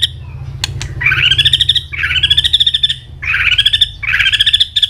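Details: White-rumped shama singing an intense fighting song while flicking its tail continuously: loud rising buzzy, trilled phrases repeated about every 1.2 seconds, with sharp clicks at the start over a low hum.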